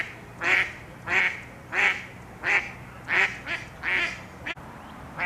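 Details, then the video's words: Loud female Mallard quacks during mating season as females dispute over courting males; about eight nasal quacks at a fairly even pace, one roughly every 0.6 seconds, with a short break near the end. "Female Ducks QUACKING ARGUE Over Males | Duck Sounds"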